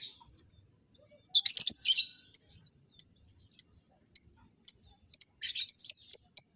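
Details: Lovebirds being matched for mating utter a loud cluster of harsh chirps, followed by sharp single high chirps spaced roughly every half second, ending in a busier twittering run.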